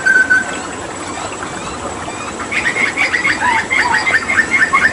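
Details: A singing hooded butcherbird from Papua, a mimic recorded with water therapy, opens with one clear whistle. A pause follows, then a rapid series of short buzzy whistled notes in quick succession.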